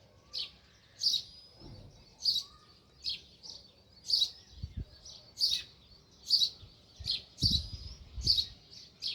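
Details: Sparrow chirping by its nest in a village: a steady series of short high chirps, about two per second, irregular in spacing, with occasional low knocks and rustles.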